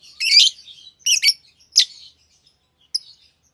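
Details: Lovebirds chirping: a few harsh, high, buzzy chirps in short bursts with long silent gaps, ending in one faint sharp note.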